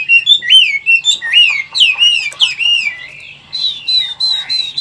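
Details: Caged Chinese hwamei, an old wild-caught bird of large build, singing in forest-voice style in Vietnam. Rich swooping whistled phrases bend up and down, then give way to a run of short, even, higher notes.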